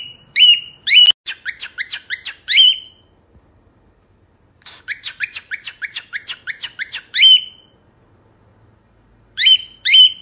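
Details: Cockatiel song: rapid bursts of short chirped notes, each closing with a louder drawn-out whistle, separated by quiet gaps. A final pair of strong whistled notes follows. No background noise.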